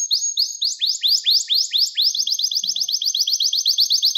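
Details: Gloster canary song used as training and to excite males: slower swooping notes rising sharply, then quickening into a dense, steady rattle of short high chirps to the end.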